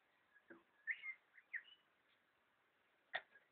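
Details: Red wattlebird, tentatively identified, recorded 21 September 2012: short harsh and whistled notes in a brief burst, a few sliding chirps, then one sharp loud note near the end over steady background hiss.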